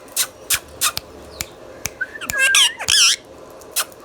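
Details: A pet Indian ringneck (rose-ringed) parakeet, described as a talking bird, gives harsh, clipped squawks about twice a second, then breaks into a warbling, speech-like run of rising and falling notes.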